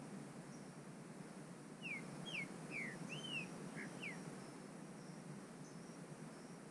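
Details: Bred-in-captivity trinca-ferro, the Green-winged saltator, in Brazilian bush, gives a brief run of clear whistled notes, sliding down and up in quick succession midway through, against a constant background hiss.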